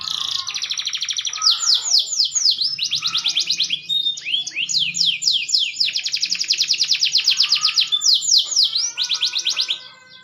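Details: Extended song of a maturing green canary: long stretches of very rapid pulsed trills alternate with quick swooping whistles, the rolls pausing briefly before resuming and fading out at the end.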